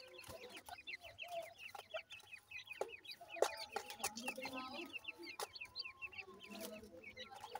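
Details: Group of francolin chicks during feeding, giving rapid, high, chirping peeps about one and a half per second each, voices overlapping into a continuous twitter with occasional sharp knocks.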